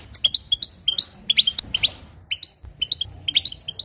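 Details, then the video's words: European goldfinch singing to excite other goldfinches: quick sequences of clear, liquid chirps and trills, a busier burst midway, then steady twittering notes. "بتبتات حسون جديده للتهيج نار"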